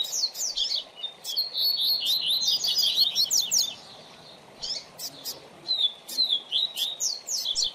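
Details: Coleiro or papa-capim seedeater singing as a teaching model for a learning young bird; a dense run of rapid high slurred notes and flicks, a pause, then further chirpy phrases.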